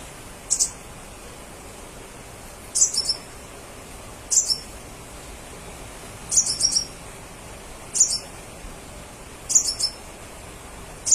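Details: Crimson sunbird singing to provoke other crimson sunbirds into answering: short, very high, sharp chirp clusters, each a quick cluster of thin notes, repeated irregularly about every one and a half to two seconds over a faint steady hiss.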